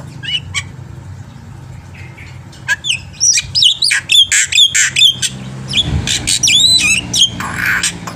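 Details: Lively black-winged myna song meant to coax other birds to sing: scattered sharp notes give way to a dense run of bright whistled sweeps and rasping chatter, ending in a hoarse burst, with low background hum.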